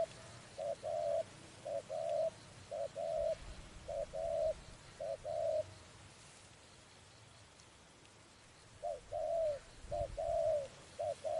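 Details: Spotted dove recorded during trapping, giving rhythmic grouped coos of short and drawn notes at about one per second. After roughly three seconds of quiet the cooing phrase starts again, over soft rural background noise.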